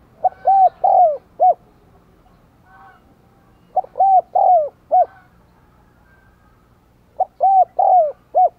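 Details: Decoy spotted dove in 'đồng còi' voice, calling and cooing to provoke wild doves. Three repeated hollow phrases, each a quick note, two longer bowed coos and a short final note, about three and a half seconds apart.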